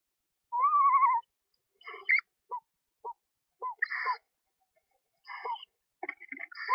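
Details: Screech owl at a nest box in a backyard, with a mother feeding two owlets only one to two days old. A wavering, quavering trill near the start is followed by a series of short chirps and harsher raspy notes.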